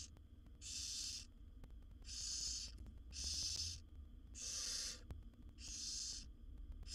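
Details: Seven wild barn owl nestlings in a nest box beg for food from their mother: a run of six broad, noisy snoring hisses, each under a second, spaced roughly every second and a quarter, with steady low hum beneath.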